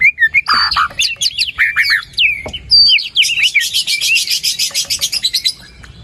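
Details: White-rumped shama song to encourage a quiet bird to sing: varied whistles and harsh notes, then a long rapid trill of evenly repeated bright notes lasting about two seconds before fading.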